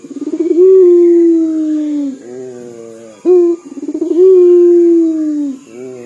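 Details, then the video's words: Local puter dove from Indonesia, calling eagerly in a way said to resemble crying: two long, low, mournful coos, each opening with a rapid stuttering pulse before a sustained tone that droops gently downward. "PUTER LOKAL GACOR DOR SUARA SEPERTI MENANGIS"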